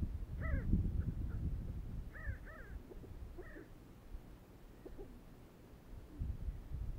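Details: Sandgrouse of the genus Pterocles, a desert bird, giving short harmonic calls with a throaty, bending quality, in pairs and singles spread through the recording over a low rumbling background.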